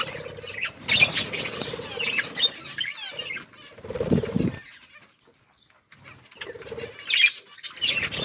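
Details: Budgerigars eating and playing, giving bursts of buzzy, warbling chirps in the upper range that break off into a near-silent pause before resuming, with a steady low hum beneath the calls.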